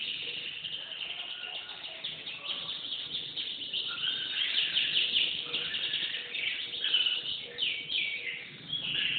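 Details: Canary singing a dense, continuous high warble with rolling trills and short slurred notes, softer at first and building toward the end.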